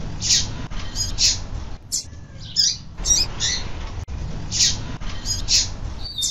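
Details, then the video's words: A female double-collared seedeater calling persistently, used to stimulate males to sing, gives short, high, squeaky chip calls roughly every half second to second over a steady low hum. "fêmea de papa capim chamando muito"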